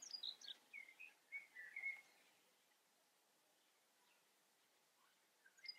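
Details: A common chaffinch in the Eifel gives a bright, two-second song: quick notes tumbling down the scale into a final flourish. After a pause, the next phrase begins.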